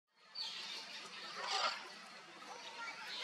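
A Sulphur-crested Cockatoo gives a harsh, grating screech, a loud raspy call held for about three seconds with a rougher swell in the middle.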